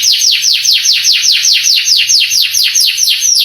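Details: Male canary song used to excite young canaries and get them answering: steady series of sweeping downward notes, around four per second, clear and loud with no other sounds.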